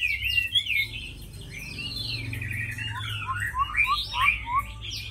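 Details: Caged Chinese hwamei kept for fighting, giving varied whistled phrases: slurred sweeps, then a series of short rising notes repeated quickly near the end, over a steady low hum.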